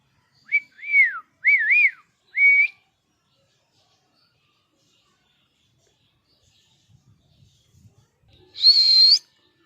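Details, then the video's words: Pet parrot, angry, gives three quick wavy whistled notes, falls silent for several seconds amid faint low sounds, then ends with a loud rising whistle. "Cute Parrot Natural Sounds!! cute Mitthu Angry Voice"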